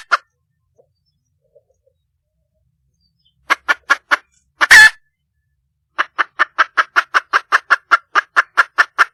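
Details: Red junglefowl hen in the wild calling for a male: a few spaced clucks, one loud rasping squawk, then a long even series of quick clucks.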